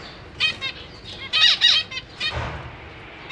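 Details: Zebra finches in a cage, parents with fledged chicks practising flight; quick series of loud nasal calls with downward-sweeping harmonics, ending in a low rustle.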